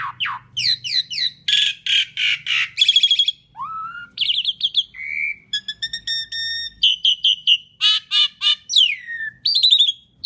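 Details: Asian pied starling's long, loud song used to lure other birds: downslurred whistles, rasping bursts, a low rising whistle, even pure tones, stuttered notes and slurred whistles in varied sequence.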